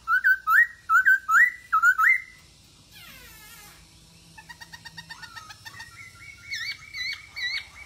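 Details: Energetic masked laughingthrush song meant to prompt silent birds to sing: a run of clear rising whistled phrases, a brief rasping sweep, soft quick ticking notes, then wavering whistles.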